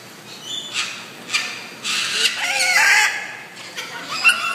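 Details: A cockatoo at Avilon Zoo gives loud, harsh, raspy screeches in several short bursts about half a second to a second apart, with fainter bird sounds in between.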